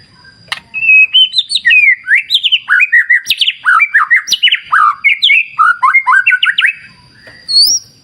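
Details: White-rumped shama (murai batu) delivering a sustained, rich song by a clear river: rapid, varied whistled and warbled notes sliding up and down with almost no pause for about six seconds; a sharp click near the start.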